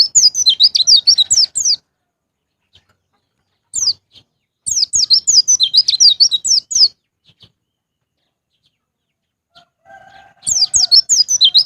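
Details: White-eye singing in the 'ngalas ngeplong' style as a lure for caged birds: three bursts of shrill, fast-chattered descending whistles about two seconds long, separated by pauses, with faint low steady tones near the end.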